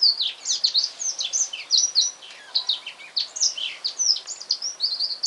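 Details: Newly bought male black-throated canary singing at home in the afternoon: unbroken rapid high twittering and slurred whistles, steady in pace throughout, over light hiss.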